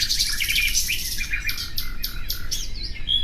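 Nightingale song: a rich, twittering opening run, then a series of quick, sharp repeated notes and clear whistles, over a steady low rumble.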